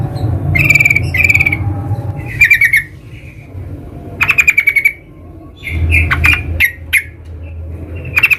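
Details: Wild sooty-headed bulbul calling with short rattling phrases and a few sharp separate notes, delivered irregularly over a steady low-pitched background hum.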